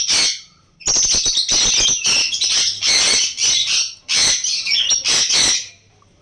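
Sun conures give loud, harsh screeching squawks, with shrill bursts following one another in quick succession.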